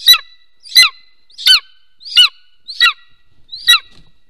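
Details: At a nest camera in Soomaa National Park, southwestern Estonia, a golden eagle calls during mating on a March 2024 morning: six loud, ringing yelps that slide downward, spaced roughly 0.7 s apart.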